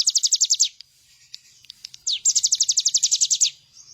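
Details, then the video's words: Bar-winged prinia master recording: a quick burst of high descending notes, a gap with scattered faint clicks, then a longer rapid series of the same sharp slurred notes. "Ciblek gunung gacor full bren..cocok buat masteran burung bahan agar ikut bunyi."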